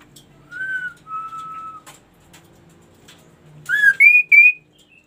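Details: Ashy tailorbird song: a rising whistle and a longer flat whistle, a quiet gap, then three sharp climbing whistles in quick succession, each higher than the last.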